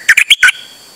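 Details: Nonstop singing from a Dok Taeng bird taken out on a rare outing, 8 September 2023; four loud, full chirps in quick succession, the final one longer and raspy.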